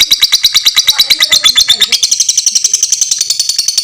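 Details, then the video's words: Fighter lovebird with long ngekek chattering, recorded as a tutor for other lovebirds: quick, harsh, high-pitched pulses at about three per second, steady throughout. "suara lovebird fighter ngekek panjang"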